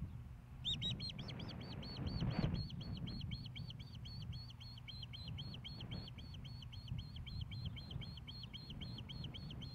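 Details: Osprey at a nest in Hellgate Canyon, Missoula, Montana, on 15 May 2016, during a fish delivery to the female: a long, steady series of high, whistled chirps, several per second, over a low wind and engine rumble.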